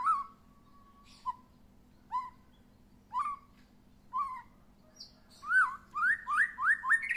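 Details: White-rumped shama, just after its first moult and being sunned, gives clear, rising whistled notes about once a second, then a quicker run of upslurred whistles at the end, over a faint steady hum.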